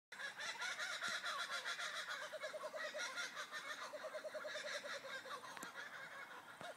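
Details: Kookaburras in the morning at Buxton give a loud, raucous laughing chorus: rapid, harsh, cackling notes rolling on without pause, several birds overlapping.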